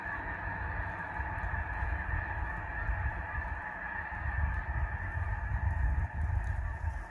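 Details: Huge flock of snow geese lifting off and settling on a lake: a thunderous low rumble of wings beating the water, swelling and easing, under a continuous chorus of honking.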